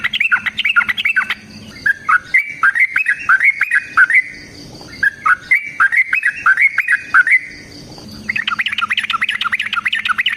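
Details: Sooty-headed bulbul giving a long fighting song, used as a lure: bubbly, warbling phrases of quick up-and-down notes, each a short burst, ending in denser chattering notes. A faint low hum runs beneath.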